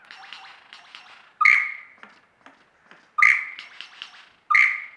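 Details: Mimicry performance by a lyrebird in Australia: soft rapid chattering notes broken by three loud, pure whistles with sharp clicky onsets, spaced roughly one and a half seconds apart.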